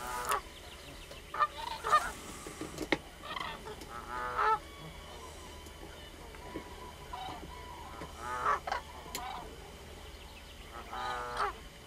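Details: Common crane: repeated bugling, harmonic calls in irregular bursts from several birds, mixed with rough, grating notes and a steady low background hum.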